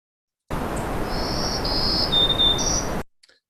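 A Black-throated Green Warbler sings a high, buzzy phrase: drawn-out wheezy notes, a dip to a lower note, then a rising buzz at the end, over steady hiss.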